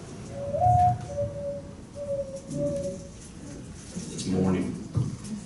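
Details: Mourning Dove, a native dove and official city bird of Palm Desert, played back in a lecture on Coachella Valley birds: a low, mournful coo, a rising first note then three steady hollow coos, followed by a man speaking.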